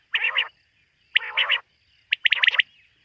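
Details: Quail at night giving two drawn-out nasal, buzzy notes with layered harmonics, then a quick run of five crisp chirps.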